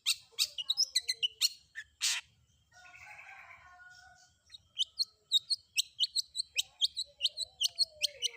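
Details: Long-tailed shrike song with mixed filler phrases, played so other shrikes respond: sharp chirps and a harsh rasp, a low buzzy warble, then steady high repeated ticking notes over a descending whistle.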